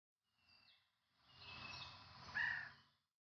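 Javan banded pitta giving one short, clear whistled note that bends slightly, set against a steady hiss of background noise with faint high chirps before it.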